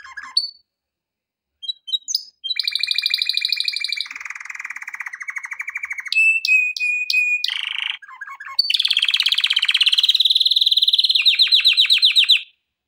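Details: Male canary singing for training, varied song with pauses: buzzy trills, lower rolling tours, a sustained whistle with sharp clicks, then a long fast rolling trill; brief remark in another language follows.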